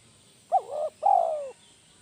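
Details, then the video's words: Spotted dove, a lure bird of the kuk 1 type, calls a two-part coo: a brief hooked note running into a soft dip, then a long, steady, slightly falling coo. "suara burung tekukur masteran kuk 1 GACOR"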